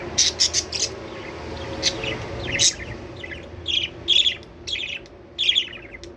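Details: Budgerigar chirps for stimulating breeding: quick runs of bright high chirps at the start, then repeated clusters of squeaky warbled notes in rhythmic bursts, over a faint low hum.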